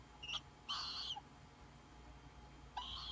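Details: Tropical Screech Owl chicks, born mid-June, give three harsh, hissing screeches: a brief one, a longer half-second rasp, then another after a pause.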